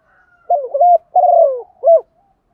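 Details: Female spotted dove (Spilopelia chinensis) giving its coo call to attract males: three soft, low coos, a throaty double note, a longer falling coo, then a short final note.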